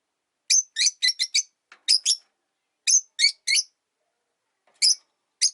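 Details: Single caged rosy-faced lovebird, living alone after its partner died, perched beside a window: rapid bursts of sharp, high, scratchy chirps, four quick notes, then pairs and triplets, pausing between groups, in a quiet room.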